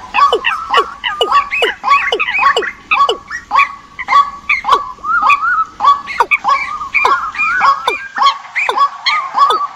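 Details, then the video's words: Migration-season decoy birds calling: rapid, repeated sharp whistles sliding downward, close to two per second, over a background of softer chattering birds. "Tổng hợp tiếng Chim mồi mùa Di cư"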